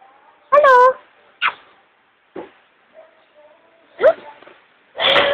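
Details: Captive Amazon parrot imitating speech: a loud, strongly harmonic squawk-like utterance with a dipping pitch contour, then short clipped syllables and a final broad, harsh burst, with a person coaxing it to say hello.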